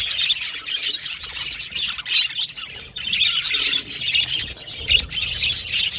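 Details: Several budgerigars chirping and communicating with each other: dense, buzzy, warbling chatter with bright squeaky notes, rising and falling in bursts, briefly quieter near the three-second mark.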